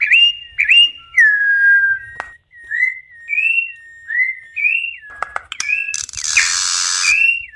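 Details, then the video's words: Campo troupial singing, used to warm up and teach captive young and adult birds: a series of clear whistled notes rising and falling, with a burst of noisy rasp near the end. "CORRUPIÃO CANTANDO MUITO ESQUENTA FILHOTES E ADULTOS. FOGUEIA E ENSINA SEUS PÁSSAROS ESTIMULA CANTAR"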